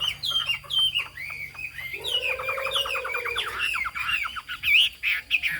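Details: Chinese hwamei with a tail shaped like a fig leaf and a yellow bill, singing in a high style: loud, varied whistled phrases, then a fast rattling trill midway, followed by rich, swooping, warbled notes.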